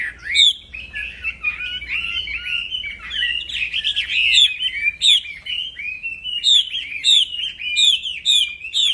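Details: Black-throated laughingthrush in vigorous nonstop 'plong fighter' song, a training tutor for songbirds said to unsettle other laughingthrushes: loud, high whistled phrases rising and falling, rapid slurred notes packed together and growing denser toward the end.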